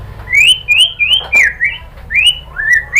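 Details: White-rumped shama song for luring shamas into singing: a string of clear, rising whistles repeated about every quarter second at a high pitch, each ending in a short flick.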